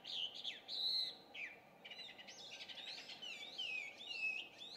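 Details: Chinese hwamei, an introduced species, singing in early morning around 5:30 in June 2019. Loud, clear whistled notes open the clip, followed by jumbled fluttering and slurred phrases against a low background hum.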